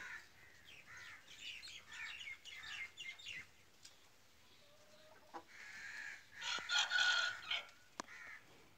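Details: Pure Aseel chickens, hens with baby chicks: a run of high, short peeping and chirping notes from chicks, quick and irregular, then a louder burst of overlapping shrill cheeps near the end, with faint clucking and a sharp tap.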